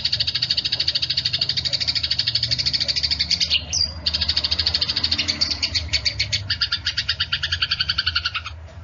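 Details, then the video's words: Eurasian tree sparrows in a fight, giving a continuous high chatter of quick chirps. A short squeaky note comes near three and a half seconds, and the calls thin out slightly toward the end. "SUARA BURUNG GEREJA TARUNG"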